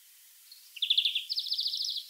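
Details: Wild European greenfinch singing a brief rapid trill, a fast chain of bright ticking notes that starts after a faint note and continues for over a second at an even pitch.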